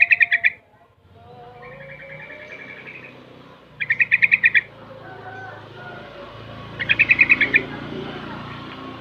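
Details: Young yellow-vented bulbul, six months old, very active and learning ropel and garuda styles: three bursts of rapid bubbly chattering notes, each under a second, separated by quieter tonal phrases, over a steady low hum.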